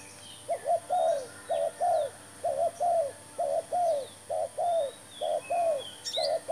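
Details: Spotted dove cooing in a steady run of hollow, paired notes, about one per second, while a new decoy bird is used to lure doves into a trap; thin high chirps of other birds in the background.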